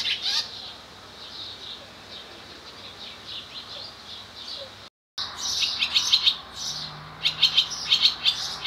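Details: Singing male barn swallow, nest and mate close by, Skala Kallonis on Lesvos, Greece, 10 May 2014; soft high twittering, a brief gap, then a louder burst of rapid chattering and buzzy trills with a low hum underneath.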